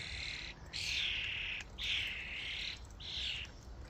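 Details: Common starlings at a feeding station give three long bursts of dense, wheezy, rasping chatter, each about a second long, separated by short gaps.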